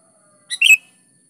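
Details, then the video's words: Sooty-headed bulbul song used as a lure for other bulbuls: one short phrase of a thin opening note and a rich, warbling double note, with a faint low hum underneath. "SUARA BURUNG KUTILANG GACOR"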